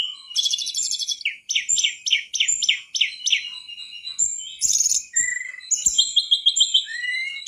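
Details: Mangrove whistler, a lively song used as a tutor recording for training cage birds: rapid runs of sharp descending chirps, then varied whistled notes, buzzy trills and rising slurs, loud and clear without background noise.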